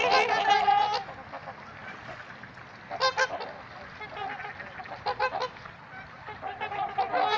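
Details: Trumpeter swans at Gallup Park, Ann Arbor, Michigan: loud nasal horn-like honks in irregular bursts, several birds overlapping with short pauses between volleys.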